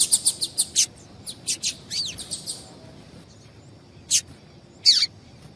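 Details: Double-collared seedeater female calls, meant to stir males into song: a quick burst of high chirps, then a few rising and falling slurred notes, a pause, and two more sharp downslurred calls.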